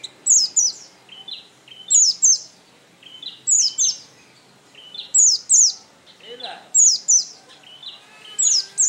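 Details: Oriental white-eye singing a short repeated phrase of two or three thin, high, descending chirps, with softer lower notes between them, recurring roughly every one and a half seconds.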